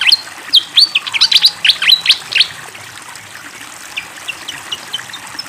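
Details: Fantail singing vigorously over flowing water: a quick cluster of high chirps and short whistles, followed by sparser, softer notes repeated at roughly regular intervals, with running water audible throughout.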